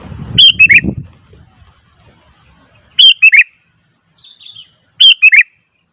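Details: Noisy Sooty-headed bulbul: three loud, quick bubbly phrases of three notes each, about two seconds apart, a soft twitter between the last two, with low rumbling at the start.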